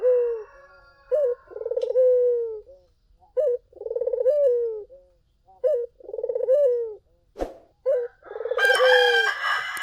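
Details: Collared dove cooing repeatedly to lure other doves into answering: a steady series of short sharp notes and throaty pulsed coos about every two seconds, a sharp click partway through and a rooster crowing at the end.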